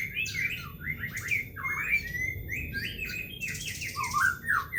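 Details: Loud, clear song of a white-rumped shama, used to lure captive shamas at home into singing: quick series of short swept whistles, rising then falling, repeated several times a second with squawky harsh notes between.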